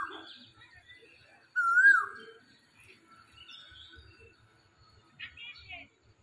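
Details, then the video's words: In spring, an Asian koel perched in a tree gives a single loud, clear whistled note that rises in pitch, with faint chirps from other small birds around it. "বসন্তের কোকিল পাখি গাছে বসে ডাকাডাকি"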